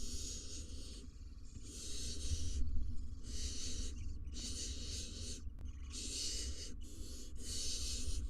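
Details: Barn owls at a nest box in Israel, the male inside with nestlings while the female roosts outside: harsh, breathy hissing bursts, about six in eight seconds, each near a second long, over a steady low rumble.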